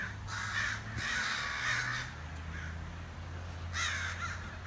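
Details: A crow outside a back door gives three long, raspy caws, then a short pause and one more, over a steady low drone.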